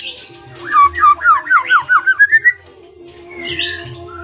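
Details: White-rumped shama of the pied blorok variety, singing actively with a full filled-in song in the rolling ngeroll style. About eight quick whistled down-slurred notes, roughly four per second, step upward in pitch, then a short higher chirp over a steady low hum.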